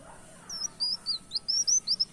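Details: Brown-throated sunbird singing in a lively canary-like style, recorded as a lure: a fast run of high, thin, upslurred whistled notes, about ten in under two seconds, over faint background hum.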